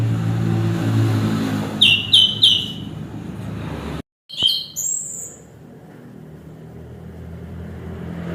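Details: Chestnut-capped thrush delivering three quick, bright whistled notes, then after a short gap a rapid, higher twittering flourish; low rumbling background noise throughout.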